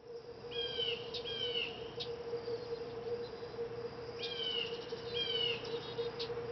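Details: A male common yellowthroat, looking around, gives dry tch clicks and short, husky downslurred notes in loose pairs a few seconds apart, over a steady low electrical hum; McKinney, Texas, 20 May 2018.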